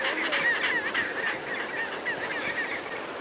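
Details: Gentoo penguins sitting on rock-pile nests in Antarctica. A dense overlapping chorus of nasal, wavering calls comes from many birds at once and continues steadily with no pause.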